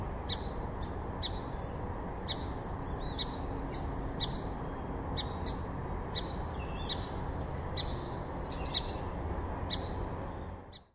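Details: Song sparrow at South Meadows, East Hartford, Connecticut, 5 July 2024, giving sharp, clipped high notes and quick buzzy phrases in a steady run, over a constant low rumble of wind or distant traffic.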